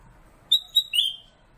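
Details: One short phrase from a captive kutilang emas, or black-capped bulbul, kept as a master singer. It opens with a high clear whistle, adds a brief second note, and ends on a longer, lower, slurred whistle.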